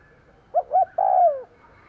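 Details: One full lure phrase of a decoy spotted dove: two short rounded hoots and then a long, steady coo that slides down at the end, over faint background noise.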